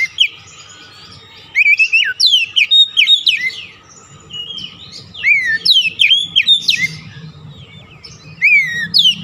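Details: White-rumped shama singing a rich, varied song meant to lure and stimulate other birds: ringing whistles, quick rising and falling slurs and chattering phrases in continuous bursts, with soft background rumble.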